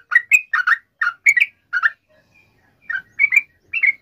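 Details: Lively sooty-headed bulbul song, used as a lure to prompt other bulbuls to sing: clusters of two or three warbled notes with brief pauses between them.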